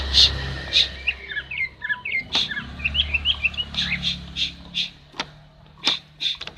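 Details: Female common iora giving calls meant to stimulate a silent male into song: scattered short chirping notes mixed with loud sharp clicks and taps, over a low background rumble.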